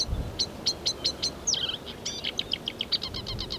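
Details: Marsh warbler in song on 15 May 2020, mimicking other European and African birds: a rapid series of sharp high chips, a slurred down-swept whistle, then dense chattering notes repeated quickly to the end.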